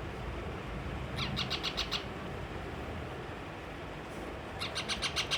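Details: Baby parrot kept as a pet, refusing food in anger, produces two tight bursts of about five rapid, evenly spaced high chirps separated by a quiet gap, with steady low background hum.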